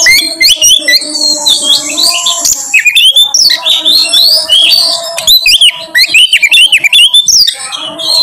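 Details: Oriental magpie-robin lure song: long, energetic sequence of sharply rising whistled notes and fast chirping trills, delivered in rapid rhythmic bursts, with a steady faint hum behind.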